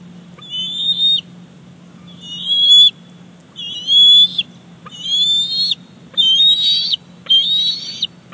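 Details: Bald eagle eaglet at a Big Bear Lake nest, recorded 28 July 2019, squeeing to beg as its mother delivers a fish: a series of thin, high whistled squees, each about half a second, rising then levelling, roughly one per second, with a faint steady hum.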